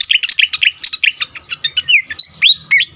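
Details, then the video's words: Agitated fantail, used to lure and excite birds: a quick string of loud, high, bouncy chirps, about four per second, followed by a sliding whistled slur and a few sharp upswept notes. "sikatan kipas ngamuk"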